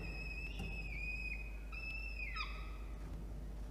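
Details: Wild peregrine falcon family at a water-tower nest box in Orange, New South Wales, 24 October 2021, during a feeding at 12:17 PM: long steady whistled notes, one ending in a sudden downward slur, amid a constant low hum.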